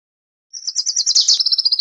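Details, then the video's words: Wilson's warbler (Cardellina pusilla) giving a rapid, high chatter of sharp notes, about a dozen in under 1.5 seconds. "Wilson's Warbler Song! Wilson's Warbler Call! Sound!- Reinita De Wilson Canto"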